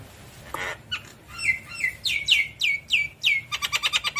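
Javan myna giving loud, varied notes: a burst of harsh chatter, then a run of sharp descending whistles, ending in rapid clicking chatter.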